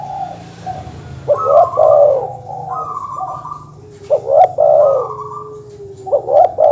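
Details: Dove calls from a recording used to challenge rival birds: three coo phrases, each with clipped rising notes leading into a longer soft coo, accompanied by steady background chirps and a low hum.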